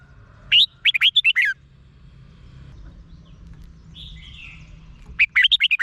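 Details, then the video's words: Red-whiskered bulbul, a Thai cage bird, singing a song meant to make caged birds lively: quick runs of five to six whistled, looping notes, repeated twice, with a thin high twitter between phrases. "เสียงนกกรงหัวจุก สำหรับต่อ หรือ เปิดให้นกคึก เสียงเพราะๆ"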